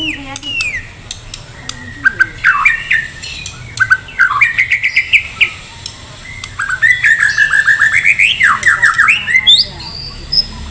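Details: White-rumped shama of the Medan type, in full contest-ready song packed with varied fillers: loud, rich phrases of whistled slurs, rising and falling sweeps and fast chattering runs of repeated notes, broken by short pauses and sharp clicks.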